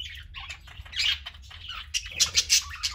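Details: Parakeets kept as pets, infants busy playing beside elders; close, loud scratchy warbling chirps in quick bursts, growing denser and louder after two seconds, with a low rumble beneath.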